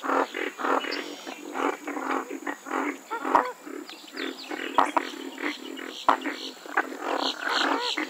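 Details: Western swamphen (Porphyrio porphyrio) giving loud, harsh nasal squawks in an uneven run of short bursts, some rising at the end, with a few sharp clicks in between.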